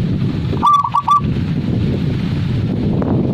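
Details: One compact zebra dove phrase: three or four quick, clear cooing notes with a drawn-out ending tone, then only a low background rumble.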